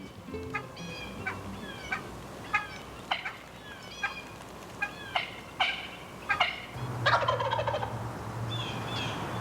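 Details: A wild spring gobbler in Michigan, being called in by hunters imitating hen turkey clucks spaced about a second apart, answers with a rapid, rattling gobble over a low steady hum; he came within 15 feet.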